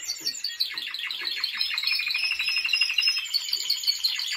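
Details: Timbrado Español canary during training in 2023 delivers a brisk chain of repeated chirping notes that merge into a steady rolling trill, loud and unbroken to the end.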